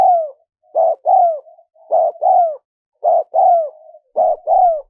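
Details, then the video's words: Spotted dove calling to lure wild doves: steady, loud two-part coos, each a brief hoarse note then a longer downslurred one, with faint trailing hums between phrases, repeating roughly every second. "Tiếng chim cu gáy mp3 dùng kích bổi hiệu quả nhất"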